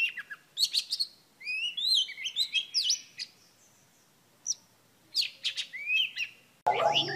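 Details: Female Oriental Magpie Robin singing to excite a male. Quick chirps and rising whistled slurs come in two bursts separated by a quiet pause, and a loud, abrupt burst of coarse, broad noise cuts in at the end.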